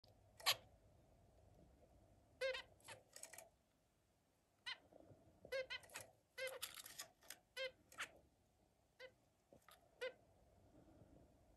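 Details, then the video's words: Zebra finches playing with other birds, giving short nasal honking calls, broad-band and harmonic, scattered in bursts across the recording with quiet gaps between. "Zebra finch’s playing with other"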